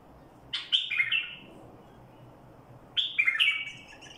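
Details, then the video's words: Badrawi bulbul in barwaz song, giving two rich, bubbling phrases of slurred whistles that drop in pitch at the end, about two and a half seconds apart, over a quiet hum. "برواز بلبل بدراوي"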